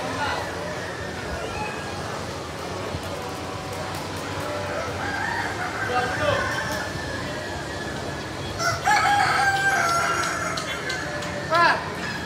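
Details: Kukuak Balenggek rooster at a crowing contest in Bukittinggi. Steady crowd chatter and distant fowl dominate at first, then a loud, stepped, multi-note crow rings out near the end, followed by a second short crow.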